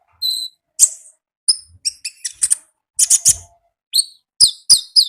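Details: Konin singing in the wild: thin, very high whistles and sharp chirps come in rapid, uneven clusters, some notes sliding downward, with a dense chattering burst midway.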